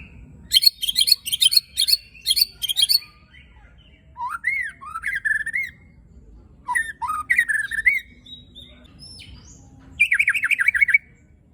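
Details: Murai batu (white-rumped shama) singing a harsh, coarse-filled song to provoke other shamas: rasping buzzy bursts, looping whistled phrases in between, and a closing trill of rapid downslurred notes.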